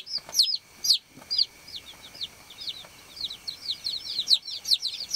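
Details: Farm chicks peeping to call the hen, sharp high descending chirps, a few loud isolated calls at first, then a dense run of quicker, softer overlapping peeps, with a faint constant high-pitched tone behind.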